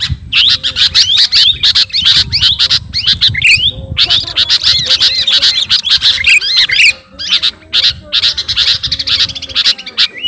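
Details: A sooty-headed bulbul of the garuda type calls to a rival with almost nonstop chattering: harsh squawks, upward-flicking whistles and fast rattled notes, pausing once briefly near the middle.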